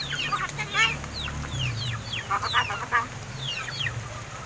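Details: Hand-reared crested mynas past seven months of age, learning to speak: dense overlapping falling whistles and buzzy chatter, with a low hum that rises briefly midway.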